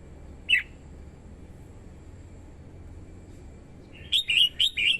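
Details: Red-whiskered bulbul singing to lure wild birds, a female stirring the male: one short bright note early, then a quick run of four chirpy, warbled notes near the end over low background hum.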